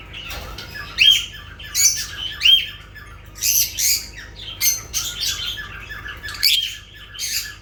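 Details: Repeated harsh high squawks from lovebirds come in rhythmic bursts, roughly one per second, with some softer chirps.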